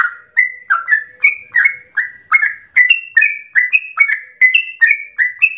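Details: Chattering 'ropel' song of a lively yellow-vented bulbul, said to sound like a straw-headed bulbul: short whistled notes follow one another briskly, shifting between lower and higher pitches, with a faint low hum early on.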